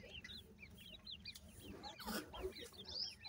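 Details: Grey francolin chicks, locally called irani teetar, giving a dense chorus of short, high, thin peeping chirps that arch up and down, overlapping continuously, with a few lower, louder notes and brief rustling bursts.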